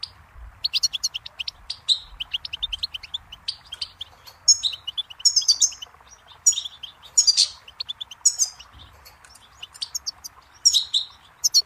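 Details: Goldfinch singing in scattered bursts of thin, high twittering notes, some phrases clustered tightly and others spaced apart, over a quiet background.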